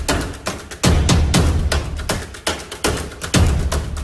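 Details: Booming drum and wood-block percussion music beats in an uneven rhythm, with no bird or other animal voice.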